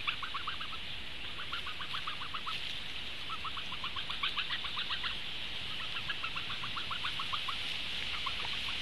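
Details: Young Eurasian bitterns at a nest in Latvia, 6 June 2015 around 19:06, moving from the nest and back, give runs of short, dry ticking notes, several per second in bursts, over a steady high insect or wind hiss.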